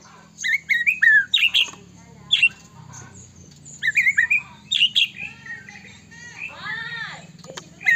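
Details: White-rumped shama (murai batu, Medan type) in persistent 'gacor' song used to provoke other shamas into singing: loud whistled phrases with sharp rising and falling notes in bursts, pauses between, a softer arched call near the end.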